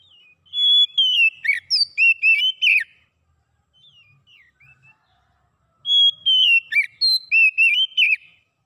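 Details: Oriental magpie-robin in clear song used to get a silent bird singing again: two bursts of loud, high, varied whistles and slurred notes about three seconds apart, with soft quiet warbling in between.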